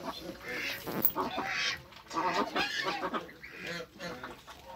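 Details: Toulouse goose mother with hybrid African and Toulouse goslings on their first day of life in a backyard; harsh, nasal honks and gabbling calls come in overlapping bursts, with softer chatter between them.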